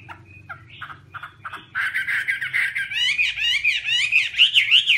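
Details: Chinese hwamei, soft short notes at first, then a loud sustained stream of fast warbled and slurred whistles rising in pitch.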